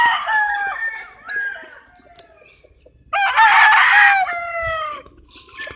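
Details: A rooster's crow that starts strong and trails off, a quieter gap with scattered clucks, then a second loud, rich crow from another rooster, with more chicken calls behind it.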